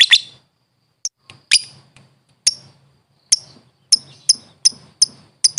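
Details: Lovebird recorded for training birds: one shrill screech opens, followed by scattered sharp high chips that come faster toward the end.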